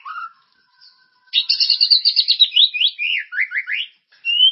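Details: White-rumped shama lure song for caged birds, energetic and characterful: a soft low whistle, then a dense high chattering run that turns into quick swooping downslurred notes, ending on a clear rising whistle.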